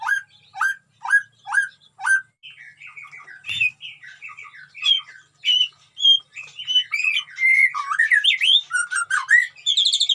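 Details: Colony-kept white-rumped shama singing with strange mimicked sounds: five spaced upswept whistles, then a long varied sequence of slurs, chatters and high rising notes.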